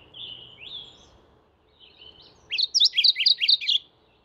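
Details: Mourning warbler calling: after some faint thin whistles, a loud burst of about six quick, paired chirpy notes runs together for just over a second against a quiet background.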